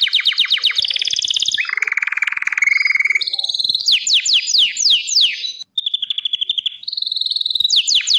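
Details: Song of a Gloster canary: fast descending trills, a low buzzy roll, then bursts of swept notes and steady rapid pulses, with one short break near the end.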